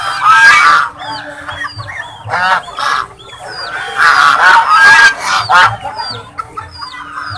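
Several swans honk in nasal, brassy bursts that overlap irregularly, about two a second, with thin high squeaks mixed among them.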